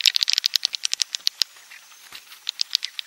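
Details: Swiftlet roosting call, klepek-klepek type: quick runs of sharp high clicks, like ticking, in fast bursts separated by a short quieter pause near the middle.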